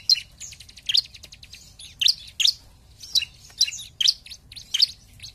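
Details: Bar-winged prinia singing vigorously, used as a lure to provoke rival birds: sharp, high chirps delivered in quick clustered bursts roughly every half second to a second, with a faint low rumble beneath.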